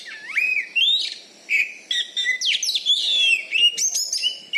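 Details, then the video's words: Caged Oriental magpie-robin, a champion contest bird from Bengkulu, Indonesia, kept for its loud voice and fighting style, delivering a rich varied song of rising and falling whistles, sharp slurred notes and high chirps in quick succession. "BURUNG KACER JUARA DI BENGKULU"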